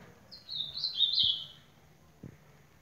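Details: Singing ultramarine grosbeak delivering one short, sweet warble of connected high notes that drift gently downward, with two faint knocks in the background.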